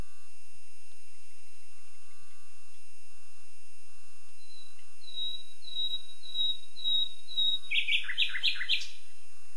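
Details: Common nightingale singing: a string of high, thin whistles given at a steady pace, breaking into a short, loud, churring trill of rapid notes.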